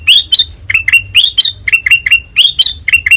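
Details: Ruby-throated bulbul, locally kutilang emas, white-eyed type, delivering open ngeplong song: crisp, piercing chirps in quick pairs and triplets, each note flicking up and falling away.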